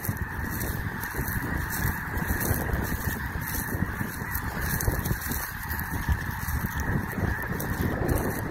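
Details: Large spring flock of snow geese approached on foot: a dense continuous din of many overlapping honking calls, steady throughout, with broad rushing noise.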